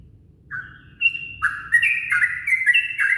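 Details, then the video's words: Yellow-vented bulbul at dawn, a lure recording. A short slurred note and a steady whistle lead into fast, tumbling chatter of bright notes that keeps growing busier. A faint low background hum is present. "Pancingan suara burung trucukan diwaktu subuhan"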